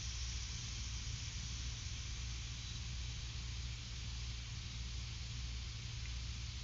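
Quiet, steady hiss with a low hum at night, and no owl or other animal calls.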